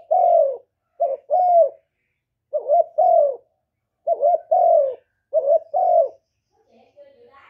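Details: Spotted dove rapid coo sequence, sounds meant to excite male doves. Five evenly paced two-part coos each pair a clipped rising note with a longer descending one, ending in faint murmurs.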